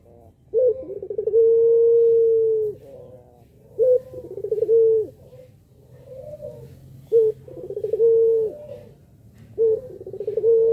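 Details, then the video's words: Puter pelung dove cooing to prompt other doves into calling; each phrase opens with a short stuttered note, then swells into a long, steady, low hum lasting about two seconds, repeated four times with pauses. "puter pelung paling jago pancing puter yg malas bunyi"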